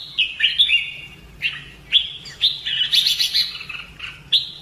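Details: Caged-style training of a Red-whiskered bulbul for fighting song: chirpy whistled notes, some rising and falling, then a longer warbling phrase with a higher buzzy overtone, ending with a sharp chirp.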